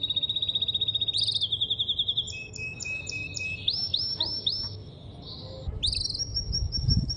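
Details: Male canary in full song, shifting from a fast pulsed trill into bright repeated notes, rolling phrases and a sustained high whistle, against constant low-pitched noise.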